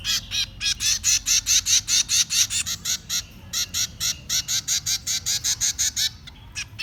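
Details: Chicks clamour for food while being fed: a fast, steady stream of loud, hoarse, hissing rasps, roughly two or three each second, barely pausing for the whole stretch.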